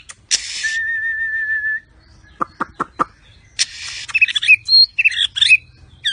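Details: Mottled Medan white-rumped shama, described as exotic: a long, steady whistled note, a few sharp clicks, then a harsh buzzy burst leading into quick chattering phrases.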